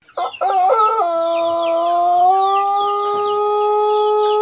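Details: Plered Pelung cock from Purwakarta Regency crowing: a few quick choppy opening syllables, then a long, clear, sustained note that steps slightly higher midway and holds steady to the end.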